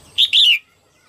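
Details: A female red-whiskered bulbul sings early in the 2022 season to stimulate males: a single bright two-part whistled phrase, the second note longer and slurring downward.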